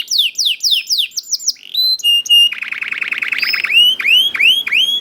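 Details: Young canary singing hard and nonstop as a lure to get other canaries singing, starting with fast descending high whistles, then clear steady notes and a rapid buzzy roll, ending in repeated rising swoops.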